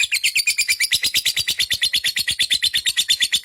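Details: Lovebird chattering ngekek style, very regular sharp high chirps in rapid succession, about three per second, bright and slightly buzzy.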